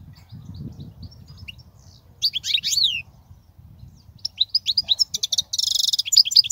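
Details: European goldfinch song for teaching young goldfinches: after a quiet start with low background rumble, bright high twittering notes, then a quick liquid sequence ending in a dense buzzy trill.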